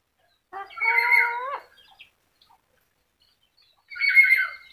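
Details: Yellow-crested cockatoo that can talk, producing a drawn-out, voice-like phrase with a rising tone, then silence, then a shorter speech-like utterance.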